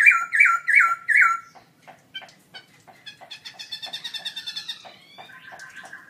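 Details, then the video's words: ['Gold award-winning caged black-throated laughingthrush in a birdsong contest, October 2016, singing loudly: four strong looping whistles in quick succession, then a stretch of fast, quieter ticking and twittering notes and a thin trailing whistle.'] "Birds Garrulax chinensis: Singer gold award-winning birdsong contest"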